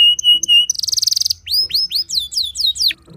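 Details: Vigorous canary song aimed at rival canaries. Two held whistles lead into a rapid buzzy trill, followed by a string of rising upslurred notes roughly every fifth of a second.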